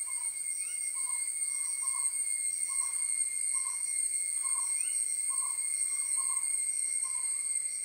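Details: Owl with an owlet being fed, short mid-pitched hoot-like notes repeated roughly every half second, over a steady high insect drone.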